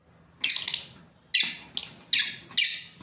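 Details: Lovebirds, a breeding pair, letting out four or five piercing, raspy squawks, each a sharp onset fading quickly, bunched in quick succession over three seconds.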